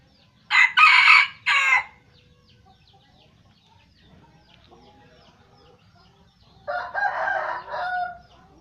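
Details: Aceh red junglefowl lure call, with two loud crows several seconds apart. Each is a harsh, broken burst of two or three segments. Faint chirps of other birds fill the quiet pause between them.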